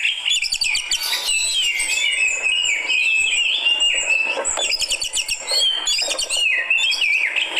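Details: Fighter Oriental magpie-robin reacting to a rival with a continuous, high, busy song of rapid chirps, trills and whistles, slightly quieter, the phrases running together.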